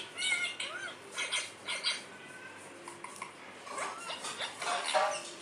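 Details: Parrot, a pet talking bird, said to say "mummy": quiet, speech-like squawky syllables with sliding tonal contours, short phrases spaced through the recording over a hissy background.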